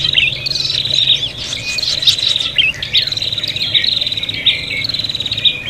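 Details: Ruffled prinias squabbling in a luring recording, with thin, high chattering trills and scratchy notes pouring out nonstop and several voices overlapping, against a faint constant hum.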